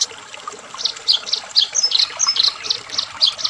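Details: Fighting Eurasian tree sparrow giving rapid, high, clipped chirps in quick bursts, several notes each second, excited and scolding in tone.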